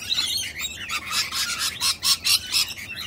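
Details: Wild female sulphur-crested cockatoo, jealous and defending her mate while a person gives him attention; harsh, raspy screeching bursts repeated in quick succession, rising and falling in loudness over three seconds.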